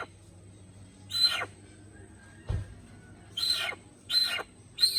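Little hornbill giving four harsh, rasping squawks, each about a third of a second, at uneven intervals, with a thud and a faint steady high hum behind.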